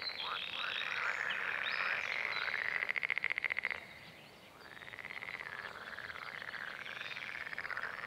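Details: A red-necked grebe from a breeding pair, followed through spring (April–May) while mating and later feeding chicks, gives loud, wailing, squealing calls, broken midway by a fast chattering trill, then more drawn-out wails.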